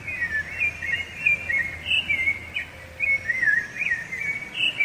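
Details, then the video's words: Rufous-bellied thrush (sabiá-laranjeira) song, which marks territory and draws a female: rich fluted phrases that rise and fall, delivered in quick bursts with a short pause near the middle. "Canto de Sabiá Laranjeira"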